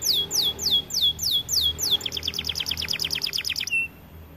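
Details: White AF canary in lively song: a series of downslurred whistled notes about three per second gives way to a fast, even, high-pitched trill that ends in one flat note.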